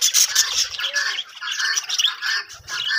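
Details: Budgerigars in a breeding colony give a dense mix of bright chirps, buzzy warbles and squawks all at once, with a brief low rumble near the end.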